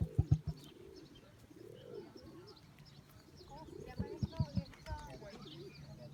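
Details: Male emu in an animal park just outside Melbourne giving its usual deep, thudding low-frequency rumbles in short bursts at the start and near the end, with soft hollow cooing tones between.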